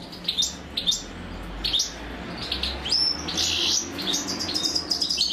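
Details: Female European goldfinch feeding chicks; spaced high chirps, then a louder buzzy burst near the middle, with softer twitters after.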